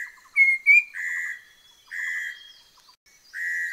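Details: Orange-breasted laughingthrush from the Langbian Plateau of southern Vietnam, a bird of forest edge and dense scrub, giving short clear whistled notes, then buzzy rasping bursts repeated about once a second, with quiet stuttering clicks beneath.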